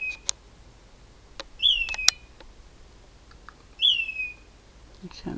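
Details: Loud unidentified bird calling at 4am at night from a mesquite tree, close and apparently unafraid: two clear whistled notes, each starting high then sliding down and levelling off, with scattered clicks between them.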